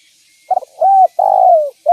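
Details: Spotted dove cooing vigorously, a call used to lure other doves: a short stuttered note, a smooth level coo, then a long coo that slowly falls in pitch, all in a low mellow register.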